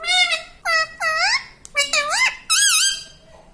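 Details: Green ringneck parrot kept as a pet, speaking words such as "mummy" and "radhe radhe"; a run of five or six clear, harmonic syllables with swooping, bending pitch, delivered in quick succession.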